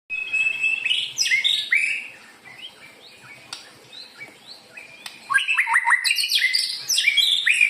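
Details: White-rumped shama song used as a lure for other birds: rich, varied whistled phrases with rapid trills and repeated notes, loud at the start, a quieter middle passage, then a burst of fast stacked notes.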